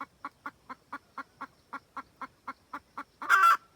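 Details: A wild red junglefowl hen calls the rooster, recorded as a trapping lure: about thirteen evenly spaced clucks, roughly four per second, ending in one loud, rasping squawk.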